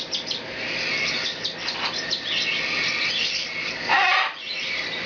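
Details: Hand-fed, hand-tame young cockatiels of both sexes, aged 4 to 16 weeks and in pearl, pied, lutino, normal and white-face varieties, chirp together in a dense, high-pitched, continuous chatter.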